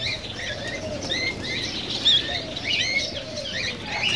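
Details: Cockatiels calling, played to prompt pairing and singing: repeated short upward-sweeping whistles, a few per second, overlapping one another, with a soft low gliding tone and light background hum.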